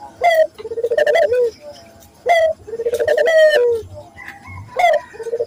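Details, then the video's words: Local Barbary dove calling in a lure recording for training doves: a short bright note opens each phrase, followed by a stuttering, rolling coo that trails downward, three phrases in quick succession. "pancingan burung puter gacor, melatih burung puter lokal agar cepat gacor"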